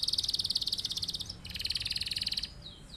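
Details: Canary in full song, a long rolling performance used as a master recording to teach other birds to sing: two rapid, evenly pulsed high trills, the first about 1.3 seconds, a short break, then a second roll of about one second.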